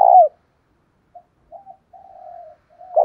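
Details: Lure call of a spotted dove, used to stir up fighting: opens with a loud falling coo, then several soft, widely spaced coos and a faint long note, ending on another loud coo.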